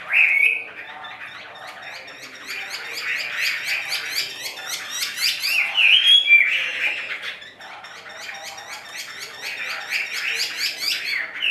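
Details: Song of a caged Chinese hwamei, left bird: fast trilled chatter of short repeated notes mixed with bright rising whistles, pausing briefly midway before another rapid trilled phrase.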